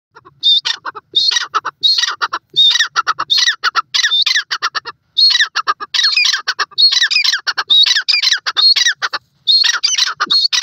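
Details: Desi teetar, the grey francolin, giving strong calls: loud, harsh, buzzy notes repeated in rapid, dense bursts throughout, with short pauses between phrases and no other clear sounds.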